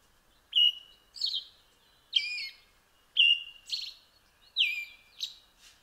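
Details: European robin delivering clear phrases, each opening with a sustained high whistle that drops or wavers into a trailing, slightly buzzy flourish; phrases spaced roughly one second apart in a quiet setting.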